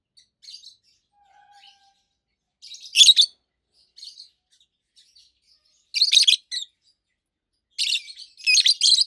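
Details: Adult captive roseicollis lovebirds, two birds over a year old, give quiet twitters, then loud, grating chirp bursts at intervals of about three seconds, the last burst doubled.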